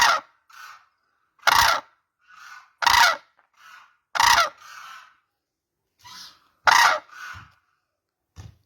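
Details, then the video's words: Cranes calling: loud, harsh, trumpeting blasts come about every one and a half seconds, each followed by a softer, lower, shorter answering note, with brief silent gaps between them. "crane birds sound"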